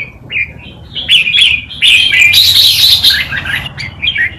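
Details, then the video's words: Wild Malutin-style song from a red-whiskered bulbul tutor bird for teaching young birds; rising slurred whistles building into a loud, continuous rich warble, then tapering into short chirps. "นกกรงหัวจุก นกครูเพลงป่ามาลูติน เปิดสอนลูกนกก๊อฟติดง่าย"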